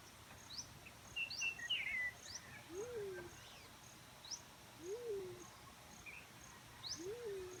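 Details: Three mellow low hoots from a black-chinned fruit dove, each swelling upward then easing down, spaced roughly two seconds apart. Other birds chirp and whistle at higher pitch, mostly in the first half.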